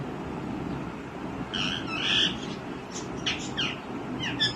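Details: Young green ringneck parrot giving drawn-out, harsh squawking notes, then shorter broken squawks and a final sharp note, heard over steady low background noise.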